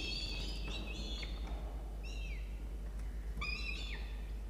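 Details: Inside a peregrine falcon nest box in Orange, New South Wales, Australia, while a chick is fed breakfast on 1 November 2021. Thin, whining harmonic calls slur downward, coming in separated bursts over steady low hum.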